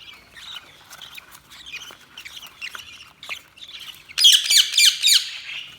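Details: Budgerigars chirping: soft, scattered high chatter for four seconds, then a sudden loud rapid run of harsh squawky chirps.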